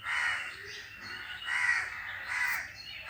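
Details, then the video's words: Crows calling while other birds are said to fall silent; three harsh, raspy caws repeat at roughly one-second intervals, loud and clear over a quiet background. "The crows are making a sound and the birds are silent on hearing the crows."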